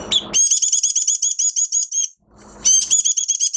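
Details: Oriental white-eye in minor moult, recorded 3 June 2022, singing: a fast run of high, bright repeated notes with a buzzy edge, pausing briefly before the rapid series starts again; soft scuffling noise in the gap.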